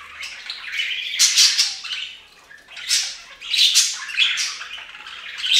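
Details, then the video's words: Several pet budgerigars taking a bath on a fountain produce harsh squawks mixed with twittering warble, three louder bursts about a second apart. "Best Budgie Bath EVER! + Budgie sounds"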